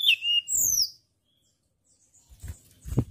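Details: Tledekan gunung (white-browed shortwing) singing a loud, clear lure song for training songbirds: a short whistled phrase with falling and rising slurs at high pitch, then silence and a few low thumps.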